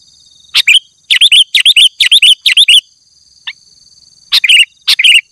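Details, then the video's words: Male sooty-headed bulbul calling a rival in the afternoon: sharp clicks leading into bubbly, warbled two-part notes, delivered in quick bursts of about five phrases, a pause, then two more phrases, over a steady faint high hum. "Suara Burung Kutilang jantan Memanggil lawan di sore hari"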